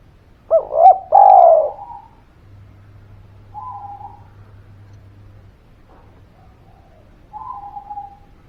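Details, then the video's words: Spotted dove cooing as a lure to prompt reluctant birds to call back: a loud burst of three bent, rounded coo notes, then fainter flat drawn-out tones repeated at intervals over a low background hum. "Suara Pancingan Derkuku Gacor Buat Pancingan Burung Malas Bunyi, Langsung Nyaut"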